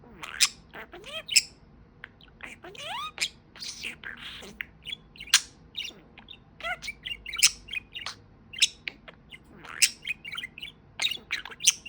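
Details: Talking pet budgie warbling steadily, mixing scratchy squawks, thin high chirps and curved whistled notes in an irregular, continuous patter.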